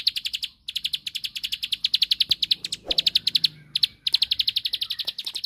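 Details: Bar-winged prinia, rice-field form, delivering a 'ngebren' song meant to provoke a rival into answering: rapid bursts of high, dry ticking notes broken by three short gaps, with soft low background rustle.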